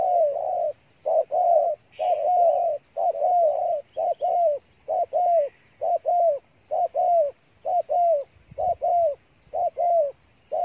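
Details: Vietnamese spotted dove from Cà Mau, 'thổ' song style with full repertoire: regular, loud, throaty coos repeated just over once a second with brief gaps.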